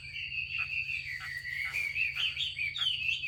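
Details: Female Chinese hwamei calling to excite males to sing: a continuous warbled stream of wavering notes that climbs gradually toward the end, accompanied by a constant high tone and low hum.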